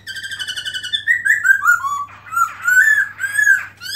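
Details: A black-throated laughingthrush sings in 2017, tail opened: a nasal, harmonic trill leads into slurred, descending fluty whistles, then rich warbled phrases that rise and fall, with a faint steady hum underneath.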